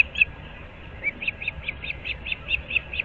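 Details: Osprey pair at their nest in Moorings Park, Naples, Florida, on 15 April 2024 at 06:37: a run of short, high whistled chirps repeating about four or five times a second, over a soft background hum.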